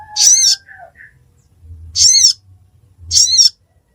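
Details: Ruby-cheeked sunbird, called sogon locally, in Pidie, Aceh, Indonesia: three separate squeaky, very high notes about a second apart, with a faint lower whistled note near the start.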